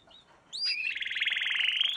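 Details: Canary singing in a song lesson for young birds. A few quick high whistled notes lead into a rapid, rattling high-pitched trill that continues to the end.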